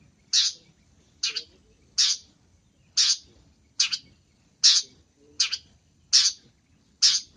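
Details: Grating, rasping calls of a long-tailed shrike, used for luring, given in an uneven series of eight loud notes about a second apart.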